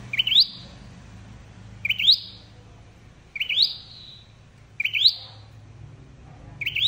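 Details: Flowerpecker call played to lure birds into traps: high upward-flicking notes with long drawn-out fading tails, about every one and a half seconds over a low steady hum.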